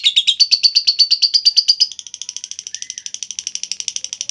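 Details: Long ngekek call of a lovebird, used to lure and train other lovebirds: loud rhythmic harsh notes for two seconds, then a softer, quicker chatter continuing to the end.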